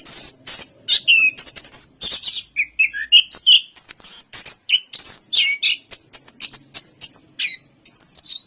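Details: Anis kembang, the orange-headed thrush, in a long, dense outpouring of very high squeaks, short whistles and chattering notes, varied and nearly continuous throughout.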